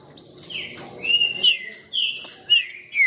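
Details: Green-winged saltator, called a fierce singer, delivers rich whistled notes that slide downward and level off, several phrases in quick succession with a brief pause midway.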